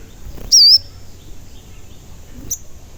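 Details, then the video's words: Crimson sunbird, a lively singing bird used as a lure to make other sunbirds call and get agitated; one thin, very high wavering chirp, then a faint short note near the end. "Pancingan Sogon Agar Bunyi dan Emosi"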